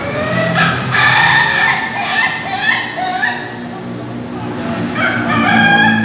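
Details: Bogor practice session for Ayam Ketawa laughing roosters, caged: bursts of choppy, cackling crows come in quick repeated syllables, fade, then swell again toward the end amid crowd murmur.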